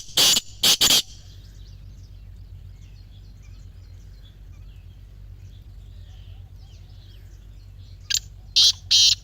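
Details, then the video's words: Grey francolin calling, used to prompt silent captive francolins to call: three loud, piercing high bursts at the start, a long quiet stretch with faint distant chirps, then three more bursts at the end. "Teetar Voice for Non-Singing Birds"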